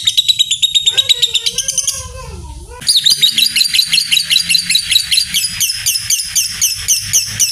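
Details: Lovebird trilling 'ngekek' to spur other lovebirds into long trills: rapid shrill chatter, interrupted for two seconds by a lower wavering tone, then the high pulsed trill resumes strongly to the end.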